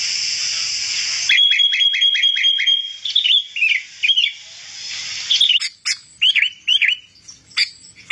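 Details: Sooty-headed bulbul song used as a lure for wild birds: a fast series of even ticking notes over a steady high tone, then slurred, rolling whistled phrases repeated at short intervals.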